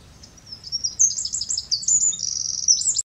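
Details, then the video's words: Eurasian wren singing powerfully after the breeding season has ended: a fast, loud, high-pitched song of rapid trills and sharp notes, with a low background hum. "Chochín cantando precioso"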